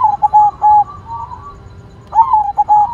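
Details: White zebra dove in lively song: the end of one phrase of short clipped coos, a faint connecting tone, then a fresh phrase of a rising note and rapid bouncing notes.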